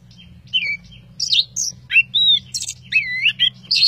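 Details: Orange-headed thrush (anis kembang) on a training recording sings a rich, varied stream of sweet whistles, slurred notes and short chattering phrases with barely a pause, over a faint low hum.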